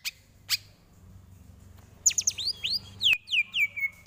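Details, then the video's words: Greater green leafbird song meant as a training tutor, starting with two sharp clicks after near silence, then a brief flurry of high descending sweeps and arching whistles ending in a held tone. "Lagunya Masuk ini Bos, Enak buat masteran"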